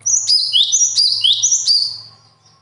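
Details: A bird delivers a quick series of high, bright phrases, each a sharp note sliding down into a lower swoop, repeated four times in a second and a half, then fading out. A faint low hum sits underneath.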